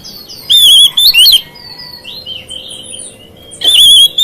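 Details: Oriental magpie-robin singing a song said to provoke other magpie-robins: two loud bursts of high whistled, wavering notes separated by a pause, with softer sliding whistles in between.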